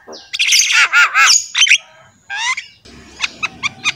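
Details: Javan myna in lively song for training captive mynas: a dense run of gurgling, warbled squawks, a buzzy rising phrase, then four sharp chip notes over background noise.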